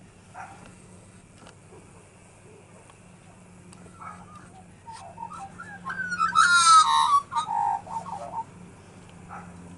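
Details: Several magpies singing, one with a crippled leg, recorded on a Sony DSC-HX400V camera. Quiet at first, then a burst of fluid, warbling whistles and rising and falling notes in the second half, over a steady low hum.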